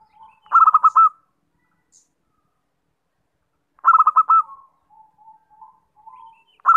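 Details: Luring call of a zebra dove: a short, percussive, rippling coo phrase, a long silence, then the same bubbling phrase with a trailing string of soft, low, spaced notes, and a third beginning at the end.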